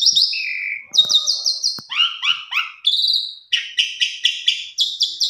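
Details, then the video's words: Pied myna lure song for quiet pied mynas: a whistled downslurred note, a low whistle, then repeated harsh buzzy stuttering syllables and a series of rasping notes about every quarter second. "Pancingan Jalak Suren Macet Bunyi"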